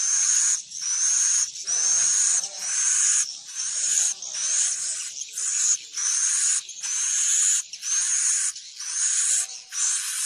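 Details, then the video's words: Roost-attracting swiftlet calling played to bring birds into a building: long buzzy, rasping bursts with a steady high whistle line, each lasting about a second and separated by brief pauses, steadily repeated. "Suara panggil burung wallet menginap"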